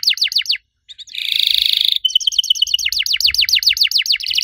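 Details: 'Riwik'-style canary song, said to make other canaries join in: falling chirps, a brief gap, a rolled buzzy trill, then a long rapid run of steep downslurred notes.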